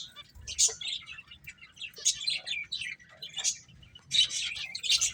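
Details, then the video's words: Finches chirp in separate lively bursts of high, sharp twitters every second or so, with quieter gaps between them while playing. "Beautiful Birds Chirping Sounds | Cute Finches Playing"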